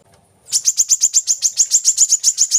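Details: Brown-throated sunbird (kolibri kelapa), used as a lure to get captive birds singing: after half a second of quiet, a fast run of sharp, high metallic chirps begins, about six per second, each a short downward flick.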